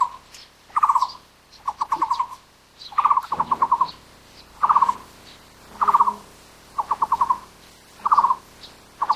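A Taiwan barbet gives hollow, low trilled bursts of four to six quick notes, repeated about once a second, with faint higher bird notes behind.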